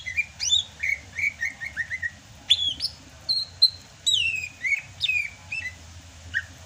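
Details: In the rainy season, a Sumatran greater green leafbird sings clear whistled notes, a repeated falling phrase at first, then longer sweeping whistles and sharp upslurs.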